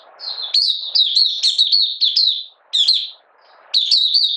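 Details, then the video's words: Malaysian Oriental white-eye singing while in minor moult and out of form, 31 July 2023: a fast string of sweet, sharply slurred high notes, broken by two short gaps, over quiet background hiss. "Malaysian Mata Puteh Buka Sing"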